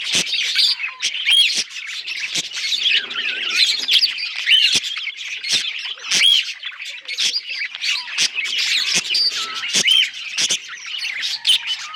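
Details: Budgerigar singing happily: a long, unbroken jumble of scratchy chatter, squeaky whistles and rapid clicks, loud and steady throughout, with several birds possibly overlapping.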